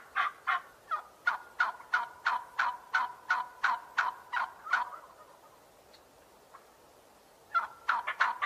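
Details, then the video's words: A turkey gobbles in a rapid, rattling run of about fifteen throaty notes, falls quiet, then bursts into a shorter gobbling rattle. "Turkey sound"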